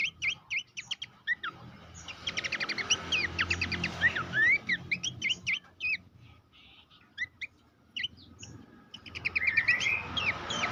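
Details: Abbott's babbler master song for training contest songbirds: bursts of rapid, sharp chirps and upslurred whistles in changing phrases, pausing between bouts, with a faint low hum.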